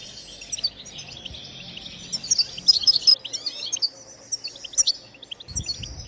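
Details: Song of a European goldfinch, played to stimulate other birds to sing: rapid, dense, high-pitched twitter of tinkling notes and quick trills, thinning to scattered chirps near the end, with a brief low thump.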